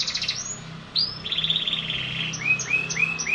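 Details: Caged canary song with high sharp whistled notes, a sustained buzzy trill, then a series of short upward-curving chirps repeated about three per second; faint low hum underneath.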